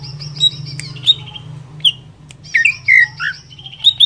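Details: Greater green leafbird, a strong singer used as a stimulus recording to provoke other leafbirds, sings bright, varied whistles and chirps with bursts of sharp notes and slurred rising and falling phrases over a faint low hum.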